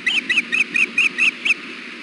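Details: Female osprey at the Hellgate nest on 6 June 2016, about 4 pm in 93-degree heat, fussing for food while the male sits on the nest with leftover fish: seven sharp, high chirps about a quarter-second apart.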